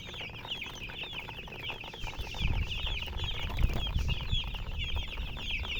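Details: Coloured chickens with a murgi hen chirp constantly, many bright, short, looping peeps overlapping, while low thumps and handling bumps grow louder in the second half.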